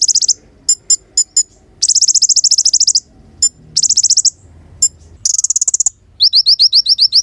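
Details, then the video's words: Loud konin song packed with rapid high chattering trills and isolated sharp chips. It ends in a fast series of bright rising notes. "KONIN GACOR PANCINGAN DAN MASTERAN SUARA ASLI JERNIH"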